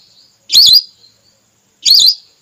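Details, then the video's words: Whistling duck female call played as a hunting lure. Two strong, wavering high whistles, each lasting about a third of a second, sound just over a second apart. "Suara pikat burung belibis merah terbaru/suara betina"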